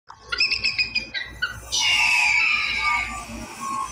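An eagle gives a quick run of high, thin chittering notes, then a long, harsh, slightly falling screech, with a faint rumble beneath.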